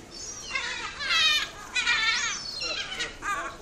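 Great Black-backed Gull giving four harsh, nasal, yelping calls in quick bursts under a second apart, over a low background hiss.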